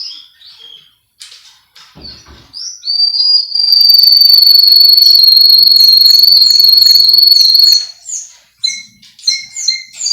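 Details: Male Russian canary, a Miami, Florida breeder's singer, used as a training recording: brief whistles and slurs build into a long, loud, even rolling trill of about four seconds, then sharp separate downslurred notes.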